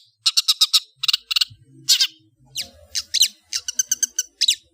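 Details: Long-tailed shrike chattering song: rapid bursts of four or five harsh scratchy notes, a broad rasp, then varied stuttering and slurred notes, with faint low knocks in the background.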